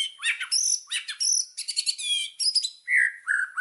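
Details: Murai batu, the Indonesian white-rumped shama, delivering loud lure song: harsh buzzy bursts alternating with high whistles, ending in lower slurred whistled notes.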